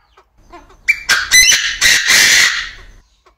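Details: Male Chinese francolin crowing in an aviary: soft low notes, then a loud harsh phrase of four rasping, broadband syllables over about two seconds, the last one drawn out before fading.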